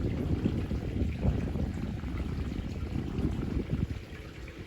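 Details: Low rumbling, trickling water noise fills the recording throughout, with no animal voice heard.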